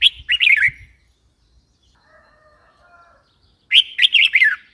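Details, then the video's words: Two rapid, bouncy chirping phrases from a red-whiskered bulbul about three and a half seconds apart, with a soft lower humming sound between them. "Red whiskered bulbul call 04"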